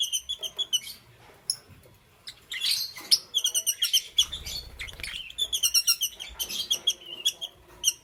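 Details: Morning chirping of lovebirds in green, yellow and lutino colour forms: long stretches of fast, shrill, rattling chirps and squeaky twitters with short gaps, and a faint low rumble underneath.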